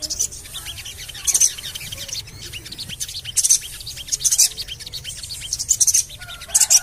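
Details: Lure recording of Javan cochoa calling, meant to make birds start singing: high, shrill chirp bursts recurring every second or so, separated by fainter twittering ticks, over low steady background noise.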